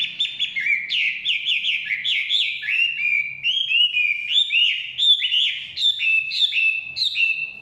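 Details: Chinese hwamei singing in the forest with a continuous, fluent stream of whistled notes, rising and falling phrases repeated roughly twice per second without a break.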